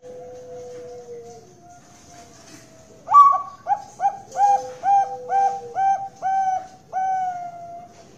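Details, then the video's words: Captive Bangkok zebra dove, Kroya, Cilacap, Central Java, Indonesia: a faint low whistle, then a sudden burst of quick staccato coos, about eight in a row, closing on a longer sustained note. "PERKUTUT BANGKOK SUPER MERDU"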